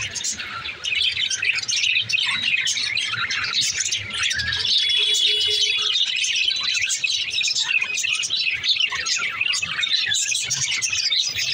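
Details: Pet budgerigars talking to each other: a dense, continuous warbling chatter of high chirps, squeaks and twittering notes with no pauses, steady and fairly loud throughout.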